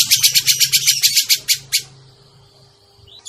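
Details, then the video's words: Lure sound of a grey-cheeked bulbul for trapping: about a dozen harsh, buzzy notes in quick, even succession over 1.7 seconds, fading into quiet with a low hum and a faint whistle. "suara pikat burung cucak jenggot"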